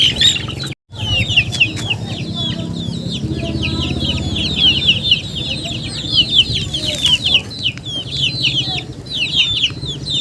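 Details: Chickens: a dense chorus of rapid, high, down-slurred peeps runs continuously from many birds at once, over a steady low rumble, with a brief dropout near the start.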